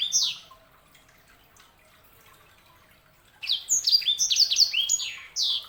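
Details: A lone chirp from a sanger canary hybrid, a long pause, then a rapid cascade of high, sweeping, downward-slurred notes closing with a final bright call.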